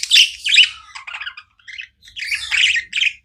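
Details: Budgies, pet birds kept indoors, chirping nonstop: dense bursts of harsh, buzzy high chatter in two loud clusters with a short pause between, bright scratchy notes overlapping, faint low room hum underneath.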